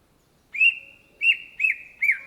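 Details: Indonesian cucak ijo, the greater green leafbird (Chloropsis sonnerati), gives four loud whistled notes after a brief silence, the later ones quicker and curling downward. A steady ringing tone joins them throughout.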